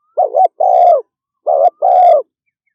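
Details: Spotted dove in fast 'thúc gù' cooing style: two pairs of low, hollow, slightly wavering coos, each note under half a second, the pairs separated by a short pause, with a silent background.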